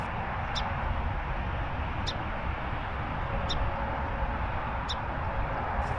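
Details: A song sparrow calls from a tree line early morning at Manassas National Battlefield Park, Northern Virginia: short, sharp, high notes about every second and a half over a steady low rumble.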